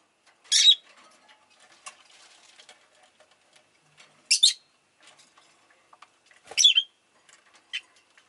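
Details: Rosy-faced lovebird kept as a pet, uttering three loud, shrill, rasping chirps spaced a few seconds apart, over soft background rustling and clicks.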